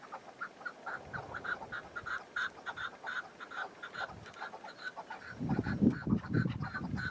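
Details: Wild chukar partridge in spring mountains with patchy snow, on a windy day: fast hoarse clucking notes, about four a second, in a steady chattering run, with low rumbling noise joining in the last two seconds.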